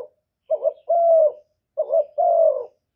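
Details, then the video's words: Spotted dove (cu gáy, cu đất, cu cườm) cooing to lure and stir other doves, recorded directly without other noise. It gives two low phrases, each a short burbling note followed by a longer steady drawn-out coo, about 1.3 seconds apart. "CU ĐẤT GÁY GỌI CHIÊU GÙ"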